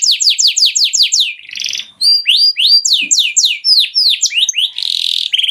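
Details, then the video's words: Canary song for training young canaries: quick series of descending whistled chirps, a brief buzzy roll, then varied sweeping notes and trills, ending in harsh buzzy rolls, loud, clean and high-pitched. "canario cantando para entrenar pollitos"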